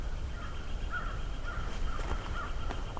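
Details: Several American crows approaching at midday in mid-May 2023, Johnston Harbour park among cedars with shore wind, give short, harsh caws about half a second apart over a steady low rumble of wind and a few sharp knocks.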